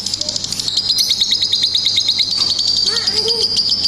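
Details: Lovebird singing ngetik and ngekek chatter: a fast train of sharp high ticks, about three per second, merging into a continuous shrill trill, with a few lower chirps near the end over a faint low hum.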